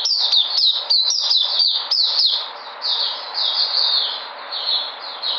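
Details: A white-eye coming back into energy, recorded 13 February 2020, pours out quick high chirps in a fast burst, easing into gentler, wavering twittered notes.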